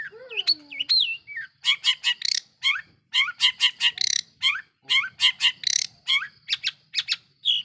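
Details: Long-tailed shrike singing vigorously, used as a lure to provoke other shrikes: looping whistled slurs at the start, then rapid runs of harsh, buzzy, broadband notes in bursts, with a faint low hum beneath.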